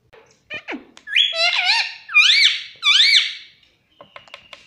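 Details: Talkative pet parrot said to say "mummy papa": three loud, high, squeaky harmonic phrases in a row, each swooping up and down, with faint clicks and soft scrapes before and after.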